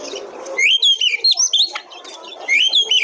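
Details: Oriental magpie-robin song played to prompt other birds to sing: loud, clear whistled phrases with rising and falling slurs and sharp high notes, two bursts separated by a short pause, over a low background hum.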